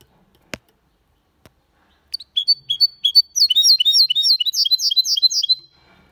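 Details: Clean Malaga-style song from a goldfinch × canary hybrid: a sharp click, then spaced chirps building into a long, rapid, dense trill of high twittering notes that ends abruptly.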